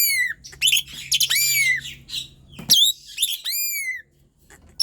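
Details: Persistent Asian pied starling song meant to stir lazy birds into singing: rapid run of downward-slurred whistles and grating chatter, several phrases packed close, then a brief silence.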